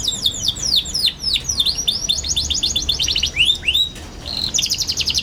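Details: A young canary, singing as a tutor for young canaries, delivers a dense stream of high swooping notes. They fall and rise in quick succession, then give way to a fast buzzy trill.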